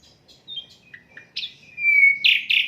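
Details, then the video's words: Asian brown flycatcher in unedited song for tutoring songbirds: faint high chips and short slurs, then a long clear falling whistle and two loud buzzy bursts. "Sikatan londo durasi 15 menit, Reall No editan, cocok buat masteran semua burung"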